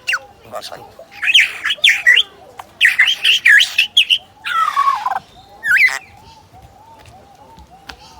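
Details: Zoo superb lyrebird in Adelaide imitating a DSLR: clustered clicks and squawky chirps, a harsh buzzy rasp, then quieter repeated soft notes fading out.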